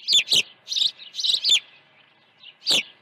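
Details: Early-morning feeding at an osprey nest at Dunrovin Ranch on 1 June 2019; loud, high, harsh chirps come in quick clusters of two or three, then a pause, then one more strong chirp.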